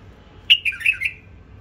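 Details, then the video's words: Brief bubbly song phrase from a captive-bred hybrid bulbul: about five quick whistled notes, loud at the start and gently falling, over in well under a second, with only a soft background hum. "بلبل مهجن من أنتاجي وتخريجي"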